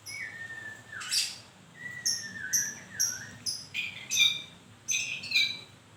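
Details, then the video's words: White-rumped shama in moult singing a varied phrase: low sliding whistles mixed with sharp high chips and short bright notes, bursts repeating about every half second to second. "Kicau mania.. murai baru rontok bulu..."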